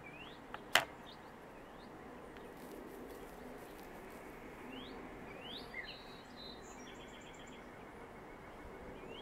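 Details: Northern mockingbird at its nest site in southwest Virginia on 7 March 2021: thin rising whistled upslurs and a short run of rapid high notes over steady background hiss, with one sharp click early on.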